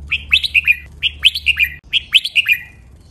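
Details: Red-whiskered bulbul training song in the doubled style, counted to 23 phrases. Three bright whistled phrases of four or five quick, slurred notes, each phrase about 0.8 seconds long, with a low steady hum beneath.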